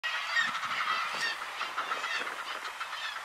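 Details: Black-legged kittiwakes at the Látrabjarg seabird cliffs, Iceland, in June 2019, make a dense, continuous din of nasal, wailing calls from many birds overlapping at once, with no pauses.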